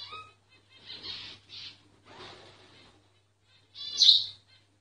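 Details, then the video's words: A myna sings while it goes unnoticed, giving soft rasping bursts and brief whistles, then one loud shrill screech near the end over a faint constant hum. "Mynah singing"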